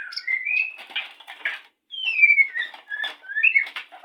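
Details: Breeding white-rumped shama in courtship before mating: loud sliding whistles falling and rising, mixed with scratchy rustling noises, a brief pause, then more whistled slurs.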